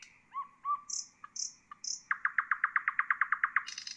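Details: Nightingale song meant for teaching bulbuls and songbirds: soft low upslurred notes and three high short whistles, then a rapid even series of about fourteen loud clicking notes ending in a harsh burst, over faint low background hum.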